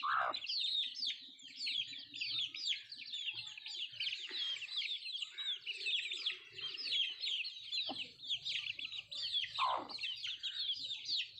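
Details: Feeding native chickens (nattu kozhi); rapid, crowded high peeping continues without pause, with a few louder swooping calls and scattered pecking knocks.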